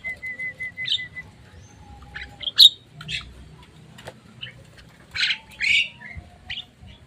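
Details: Javan myna after bathing and sunning, then fed crickets to tame it: harsh, noisy squawks and short chirps in irregular bursts, some rising, with a brief steady whistled tone at the start and a faint low background hum.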